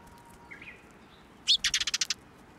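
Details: Sparrows at a shrine, flying onto a hand to be fed, recorded 10 June 2024: soft faint chirps, then a burst of sharp, rapid high chips over steady background noise.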